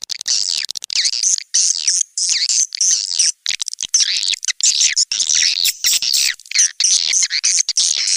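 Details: Swiftlets calling in SP Anak Gembala, an Indonesian outdoor-type swiftlet-house sound used around Sóc Trăng and Đắk Nông, Vietnam: bursts of high, wavering chirps that rise and fall, separated by short silent gaps.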